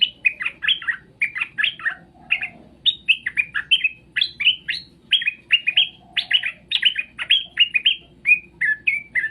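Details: Straw-headed bulbul song: a lively stream of short, loud, bubbling and whistled notes in quick clusters, rising and falling, with brief pauses between bursts and faint low background hum.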